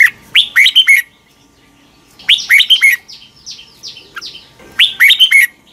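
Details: Fired-up morning song of a red-whiskered bulbul for training: repeated phrases of four or five clear whistled notes, with softer falling slurred notes between phrases.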